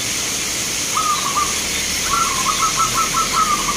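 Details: Zebra dove of a local strain at a bird-song contest in Grabag, Magelang, Indonesia, giving a rapid run of soft, bubbling coo notes rising slightly, then a longer trilled phrase, over a constant high hiss.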